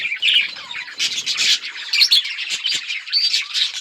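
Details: Budgies, brightly coloured, heard on October 26, 2023 giving a mix of scratchy warbles, sharp chirps and short squawks, several birds calling at once in a continuous chatter.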